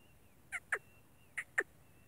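Black francolin giving two pairs of harsh, grating notes, each pair quickly doubled, the pairs under a second apart, over a quiet background.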